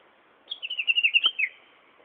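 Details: A lone Japanese bush warbler singing energetically at the Prefectural Forest in Bunka no Mori park, 13 April 2011. A quick run of about ten sharp, high chipping notes lasting roughly one second and dropping slightly lower at the end, over a quiet background.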